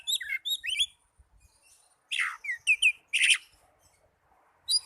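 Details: Young Oriental magpie-robin gives quick, high, twisting whistles and buzzy chirps in clusters. A short silence falls midway, then a brighter run of slurred notes follows.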